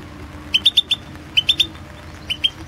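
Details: Goldfinch of the Carduelis Balcanica type competing in the 2016 World Championship in Goldfinch Song held online; repeated groups of three to four bright chirps, each group under a second apart, over a quiet hum.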